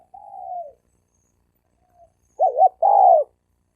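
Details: Wild-caught male spotted dove challenge: a soft drawn-out falling coo, a pause, then a loud double-humped short note and a long arched coo, clean with no background.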